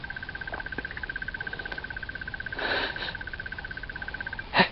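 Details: A Crested Barbet sings from a treetop on an October afternoon safari walk near sunset. It gives a long, even, unvaried trill of rapid mid-pitched notes, like a ringing alarm clock, broken by a brief rustling burst and a sharp knock.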